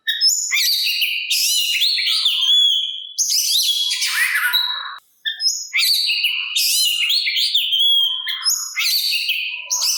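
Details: Kacer, the Oriental magpie-robin, in lively song meant to lure rival birds into replying; bursts of high whistles, rising sweeps and harsh buzzy notes come in repeated phrases with one brief silence midway.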